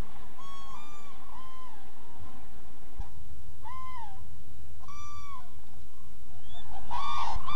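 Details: Common cranes resting in an almond orchard in the Hula Valley, Israel, a November migration stopover where they pick up fallen almonds; separate trumpeting, bugled calls ring out at intervals, with a louder burst of calling near the end.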